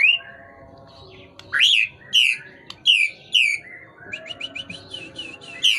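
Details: White-rumped shama, still tail-flicking and singing hard: soft opening whistles, then loud descending slurred notes in a steady sequence, followed by a chattering twitter of short notes.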